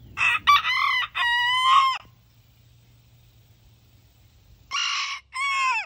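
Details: Roosters crowing: two loud, harmonic-rich crows, the first a long stepped cock-a-doodle-doo lasting about two seconds, then silence, then a shorter two-part crow near the end.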